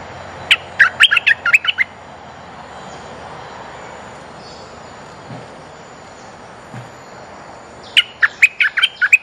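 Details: Decoy call of a bulbul meant to draw in females: a burst of lively chirped notes, a long quiet gap, then a second similar bubbly phrase.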